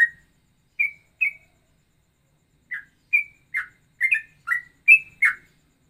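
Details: Straw-headed bulbul singing a ropelan variation, a combination likened to cucak rowo and cucak jowo: about a dozen crisp, short whistled notes in irregular bursts, some paired, shifting slightly in pitch, quiet between them.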